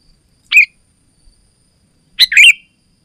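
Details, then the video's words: Lure and tutor recording of a sooty-headed bulbul: one brief slurred whistle, a pause of over a second, then a fuller warbling phrase of bright rolling notes. "Suara Burung Kutilang Gacor Rapat Menekan Lawan Paling Ampuh untuk Suara Panggilan dan Masteran"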